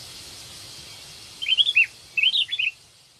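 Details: Call of a ranting-type sooty-headed bulbul seeking a mate, played to lure birds: two short phrases of three to four clear, liquid, slurred notes about half a second apart, with quiet background hiss.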